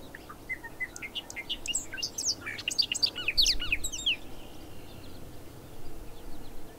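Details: Bobolink singing a rapid, bubbly jumble of tinkling, metallic notes that jump up and down in pitch for about four seconds, then fade into quieter scattered notes against a low background rumble.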